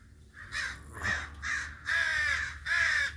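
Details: Crow giving a series of harsh, hoarse caws, five strident calls about half a second apart, each a rough buzzy burst with a low rumble underneath.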